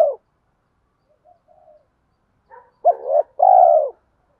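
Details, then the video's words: Spotted dove with a deep 'thổ' voice, kept as a lure bird. Soft, faint murmurs lead into a clear two-part coo near the end: a brief upward note, then a long, level, full coo. "chim cu gáy giọng thổ pha thúc đấu rút bổi nhanh về"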